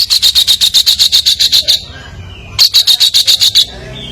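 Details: Vigorous competition songbird song: two bursts of rapid, evenly pulsed high chattering notes, about a dozen notes each at roughly eight per second, separated by a short quiet gap.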